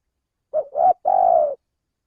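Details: Three-part coo of a male spotted dove, a lure sound from Indonesia used to draw birds in: a short coo, a slightly rising second note, then a long, fluttering, falling final note. Silence around it.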